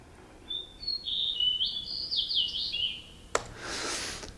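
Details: A Fox Sparrow in Southeast Alaska sings one rich, sweet phrase of whistled notes that slide and warble for about two and a half seconds, followed by a brief burst of rough noise.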